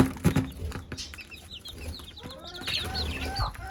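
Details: Mother hen calling her chicks to eat: low clucks near the start, then many high, thin peeping chick calls scattered through the clip.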